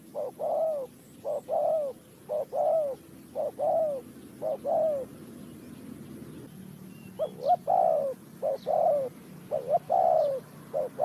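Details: Spotted dove calling during bird trapping with a decoy, Ninh Thuận. Low mellow coos in short-then-long phrases, about one note per second, repeated steadily over eleven seconds; a second run of louder coos follows, with faint chirps above.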